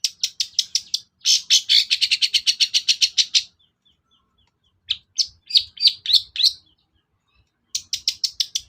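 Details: Long-tailed shrike lure song, used to provoke a reluctant shrike into singing: fast runs of sharp, high chirps repeated several times a second in bursts, then a pause and a shorter scratchy phrase, then more rapid chirps.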